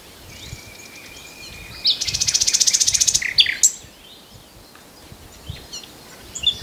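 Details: Common nightingale song: a long, steady, thin whistle, then a fast burst of about fifteen loud, evenly spaced pulsed notes, ending in a few sharp chips over quiet background.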